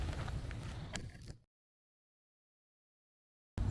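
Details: Outdoor handling and camera noises from a UK wildlife photography outing cut to two seconds of dead silence before resuming, with no animal heard.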